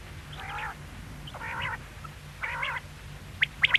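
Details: Quail giving three drawn-out nasal, wavering notes about one second apart, then a sharp clipped triplet at the end, with a low hum in the background.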